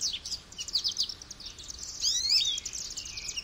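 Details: Goldfinch producing a dense, high-pitched twitter of quick chirps, then a louder run of liquid, sliding notes midway, followed by softer trills.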